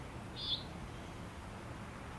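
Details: A Common Nighthawk gives a single short, nasal, buzzy peent flight call, high and clipped, over low rumble. The speaker suspects a pair nests on flat-top roofs in or near downtown Saint Charles.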